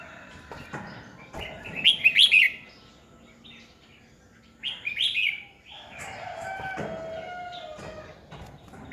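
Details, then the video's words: Red-whiskered bulbul used as a decoy to prompt rival birds to sing, 2020: two loud bursts of rapid, ringing warbles a few seconds apart, followed by a softer, drawn-out whistled passage. "Chào mào mồi cực hay khi luyện giọng ép bổi sổ bọng"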